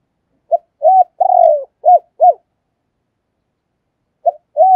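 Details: Caged decoy spotted dove cooing: a short note, two arched hoots, a long falling coo and two more arched hoots, then a pause and a new phrase. The recording is clean and quiet.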